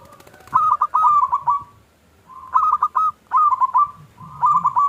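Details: Lure song of a local zebra dove for prompting other doves to sing; four separate phrases of quick rolling coos, each starting with a soft hum and ending in a short drawn note.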